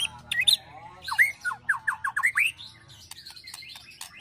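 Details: Agitated white-rumped shama ketrekan with cililin and prenjak fill-ins, used for training birds: a run of short rising whistled upslurs about four per second, then softer scratchy high twitters over a low background rumble.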